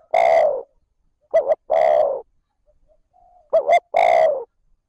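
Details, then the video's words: Spotted dove calling in the 'trơn ròng' manner to stimulate wild doves. A long hoarse coo is followed by two phrases, each a quick pair of short notes and then a sustained coo. Faint soft murmuring fills one gap. "Tiếng cu gáy trơn ròng thúc gù gáy kích bổi nhanh nổi / Cu gáy gọi trơn ròng"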